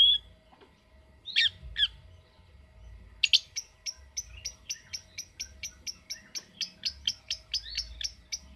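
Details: Lovebird: two or three scattered chirps, then a long series of sharp, clipped notes repeated at a steady pace of roughly three per second until the end, over a quiet background.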